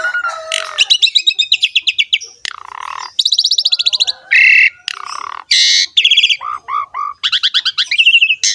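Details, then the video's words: Asian pied starling singing with rich varied fill-in phrases: fast buzzy rattles, harsh grating bursts, and short looping whistles running together in a dense, continuous stream. "KICAUAN BURUNG JALAK SUREN GACOR FULL ISIAN MEWAH"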